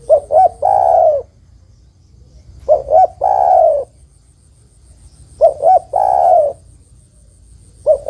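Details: Spotted dove hen calling a male. Her three-part phrase of two brief coos and a long, burry final note repeats about every three seconds, with a fourth phrase starting at the end.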